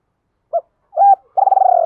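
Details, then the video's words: Spotted dove lure song for drawing in rival doves; a short low coo, a flat held note, then a long buzzy trembling coo, cut off abruptly. "Chim cu gáy thúc và gáy gọi hai hậu/ tiếng chim cu gáy kích bổi hiệu quả"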